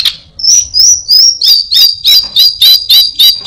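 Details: Orange-headed thrush giving a mimicked phrase of high whistled notes repeated about three times per second, steady and rhythmic, with music faintly in the background.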